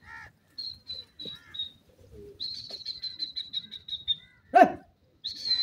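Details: Pair of partridges, a dakhni titer and an irani teetar: high, clear whistled notes repeated in quick series, one short run and then a longer steady run, broken by a single harsh, lower burst before the whistles resume.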